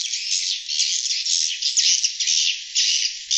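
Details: Glossy swiftlet call used to lure wild swiftlets: a dense, high, buzzy twittering chatter that runs almost without a break, rising and falling in loudness about twice a second.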